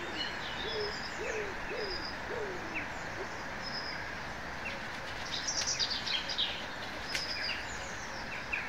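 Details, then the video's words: Birds singing in woodland: repeated short rising whistled phrases low in pitch, scattered high thin chirps and twitters from several birds, over a steady background hiss. "Birds singing in the woods"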